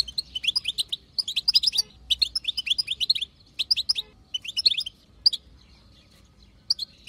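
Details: Chatter of a wild female European goldfinch, meant to stir males into song: dense runs of sharp, liquid twittering notes for five seconds, then thinning to a few isolated chirps near the end.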